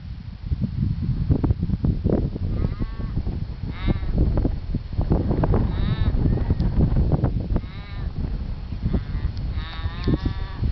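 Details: Australian raven at Lake Monger, Perth, Australia, giving drawn-out, nasal, wailing calls with rich stacked harmonics, one roughly every two seconds, over strong wind rumble and buffeting.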